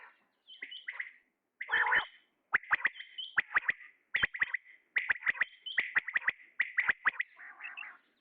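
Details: Common quail, a male, calling: crisp whip-like notes grouped in rapid clusters of two or three, repeated steadily, with a brief harsh, lower rasping burst near the start; a quiet background.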